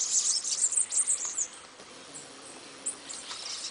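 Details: Bananaquit song: a burst of very high, thin, squeaky twittering notes packed tightly over the first second and a half, then only faint scattered high chips over a soft background hiss.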